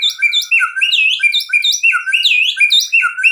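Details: White-rumped shama singing nonstop, used as a lure to stir other shamas; a dense stream of fluty up-and-down whistles at several pitches, tumbling rapidly with barely any pause.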